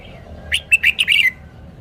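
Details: A single rapid phrase of clear, liquid chirped notes from a red-whiskered bulbul, ending in a short downward slur, over a quiet background.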